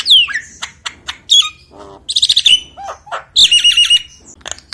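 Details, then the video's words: Common hill myna calling actively, used to lure other mynas that rarely call: loud shrill whistles, a falling whistled note, harsh nasal squawks and a buzzy repeated phrase, in irregular bursts with short pauses. "JALAK NIAS GACOR UNTUK MEMIKAT JALAK LAIN YANG JARANG BUNYI"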